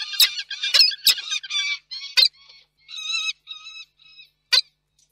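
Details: Peregrine falcon family at Reda, Poland, on 4 August 2024: parents below, young above, young disturbing the parents' meeting. Harsh harmonic wailing calls in drawn-out bursts, with sharp clicks, then quieter thin wails and a final sharp note.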